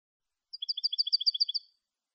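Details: European goldfinch song in the clean Malagueño style, recorded for tutoring captive goldfinches: a quick, even series of about eight bright, doubled chirping notes, high-pitched and steady, lasting just over a second against complete silence.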